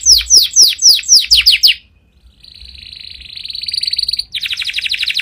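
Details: Powerful canary song: a series of fast, descending whistled sweeps repeated about four times a second, a brief pause, then a long even buzzy trill and a rapid rolling trill to finish.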